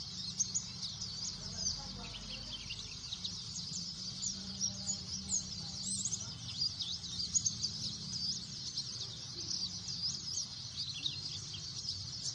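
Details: A crowded chorus of white-eyes, an unbroken wall of very high, scratchy twitters and quick chirps over a steady low hum.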